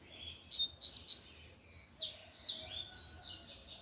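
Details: Lined seedeater singing forcefully in the tui-tui manner: a few soft notes, two loud ringing whistled syllables, a short pause, then a dense run of high twittering, buzzy notes.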